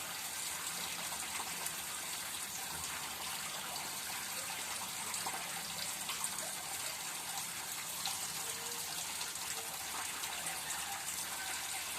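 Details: Steady, quiet rushing water like a running tap fills the recording, with no clear animal voice above the hiss.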